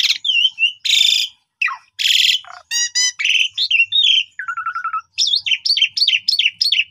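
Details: Varied starling medley from an Asian pied starling, an afternoon lure for young birds: wavering whistles, dry rasping bursts, stacked ringing notes, a short rattle and repeated rising-falling whistled phrases.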